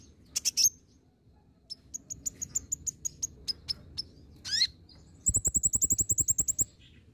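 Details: Lure song of a green-plumaged olive-backed sunbird used to make birds reply: sharp high chirps, a run of evenly spaced thin ticks, a downslurred buzzy note, then a rapid dry trill of about fifteen notes.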